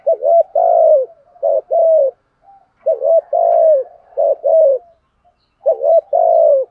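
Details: Spotted dove used as a lure bird to provoke rival males, cooing in low hollow two-part phrases: a short rising note then a longer sustained coo, repeated about every one and a half seconds with brief pauses.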